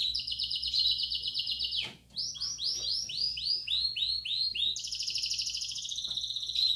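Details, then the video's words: Belgian canary singing a bell-like training song for youngsters: a steady trill, a short break, then a run of separate rising-falling whistled notes, ending in a higher fast roll. "Som-do-canaril-para-esquentar-filhotes-de canar-belga."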